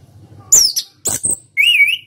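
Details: Dense ngeplong song of a national champion orange-headed thrush kept for contests: very high descending whistles, clicking rattles, then a sustained wavering whistle, all loud and close.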